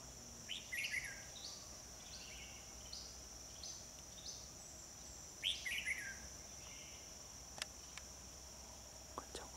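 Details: Red-whiskered bulbul singing during trapping at Núi đá HB, 25 October 2020; a run of short, quick, descending warbled phrases, then a louder rich slurred phrase, followed by a few faint clicks, all above a constant shrill insect hum.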